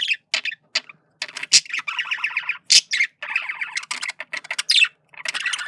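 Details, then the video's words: Courtship chatter from a male budgerigar, a busy mix of raspy warbles, squeaky chirps and several sharp high squeaks, delivered almost without pause. "Male Budgie/Parakeet Sounds Of Flirting"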